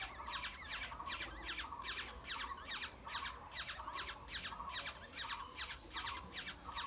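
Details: Black-hooded oriole chicks in their nest clamouring for food, a fast rhythmic run of coarse, raspy begging squawks repeating more than twice per second throughout.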